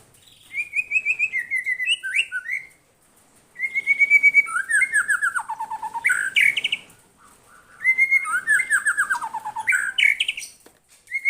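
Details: White-rumped shama in full song, answering a lure recording: loud, richly varied phrases of clear whistles, sharp upward and downward sweeps and rapid trills, in three bursts separated by short pauses.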